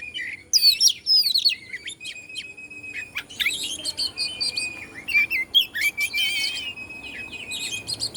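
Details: Oriental magpie-robin, Bandung type, in song meant to stir rival birds; bright, fast-changing whistled notes, some long steady tones and sweeping slurs, delivered in loud bursts after a quiet opening half-second.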